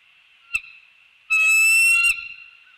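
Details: Bald eagles greeting at their treetop nest in The Hamlet on an early December morning in 2019, caught by a nest cam around mating: a sharp click, then one loud, sustained, ringing call lasting almost a second over constant hiss.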